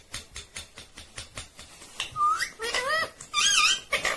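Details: Talking Indian ringneck parakeet, green parrot: steady soft clicks about every quarter second lead into a rising whistle-like syllable and wavering harmonic word sounds.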